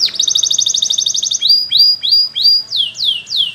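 A Belgian canary sings a fast, bright trill of about a dozen notes, then a few clipped whistles and three falling, slurred sweeps, all high and clear.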